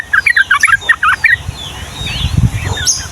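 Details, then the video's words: Yellow-vented bulbul (trucukan) in lively 'gacor' long 'ropel' song of the Ngombak Banyu style, used to tutor young birds: a quick series of short chirpy notes in the first second, then low rumbling background noise with faint higher sweeps. "SUARA BURUNG TRUCUKAN GACOR ROPEL PANJANG UNTUK MASTERAN DAN PANCINGAN TRUCUKAN PAUD"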